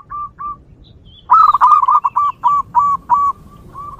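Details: Zebra dove singing in the wild, used to lure others of its kind: two soft introductory coos, then a fast run of slurred staccato notes slowing into evenly spaced, slightly rising coos.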